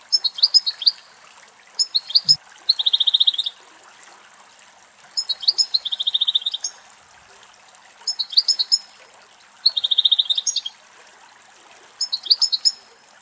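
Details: Wild European goldfinch song in Greece, bright tinkling twitter phrases alternating with fast buzzy trills, repeated in short bursts about every one to two seconds, over soft steady background hiss.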